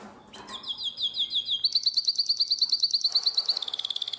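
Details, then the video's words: Nightingale-voiced canary song recorded in Drama, Greece, 2017: soft opening notes, then a quick high trill of crisp repeated pulses, ending on a slightly lower rolling phrase. "Αηδονόφωνο Καναρίνι"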